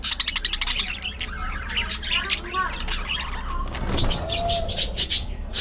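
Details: Budgerigar colony in an aviary chirping and warbling: a quick string of clicky high notes opens, then mixed twittering, squeaky rising and falling chirps, and a brief whistled note.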